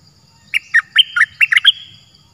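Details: A cream-vented bulbul in the wild, answering a decoy and staying off the cage, thought to have escaped. It gives a quick phrase of about seven liquid, chortling notes, rising and falling, loud against a quiet background.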